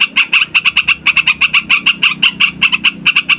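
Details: Noisy rolling song of a trucukan, or sooty-headed bulbul, meant to draw wild birds for trapping: quick staccato chatter of sharp bright notes, slightly uneven spacing, continuing without a break for over three seconds.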